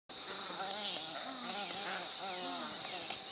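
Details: White ibises squabble on the Anhinga Trail in Everglades National Park with overlapping hoarse, nasal grunts and honks, some rising and falling, over a steady high insect buzz.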